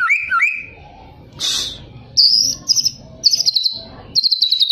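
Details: Two-year-old white-rumped shama singing clear slurred whistles that rise and fall, then high, thin, rapidly trilled phrases in short bursts, with a brief rushing noise between.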